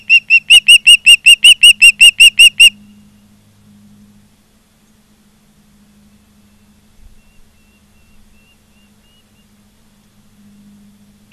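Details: A nest camera in Charlo, Montana, catches an osprey on 16 September 2023 at 16:05. A loud burst of roughly thirteen piercing, evenly spaced whistled chirps lasts under three seconds, followed by near silence with faint background hum.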